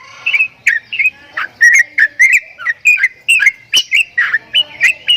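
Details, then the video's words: Javan myna, called jalak kebo, giving strange sounds: a rapid series of short whistled and chattering notes, each around the same pitch with sharp clicky edges, repeated roughly every third of a second without pause. "JALAK KEBO BEESUARA ANEH"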